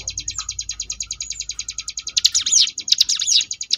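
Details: Ciblek gunung, Sunda bush warbler, in 'ngebrem' variation song for training contest birds: a long, evenly spaced high buzzy ticking series, then bursts of loud swooping, rapidly modulated trilled phrases.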